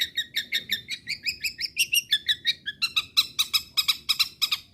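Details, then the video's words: Long-tailed shrike singing to provoke rival shrikes into continued song: steady run of short chirping notes, roughly three per second, shifting from scratchy doubled chirps to sharper higher notes. "CENDET GACOR PERANGSANG BUNYI MEMANCING CENDET LAIN AGAR TETAP BUNYI"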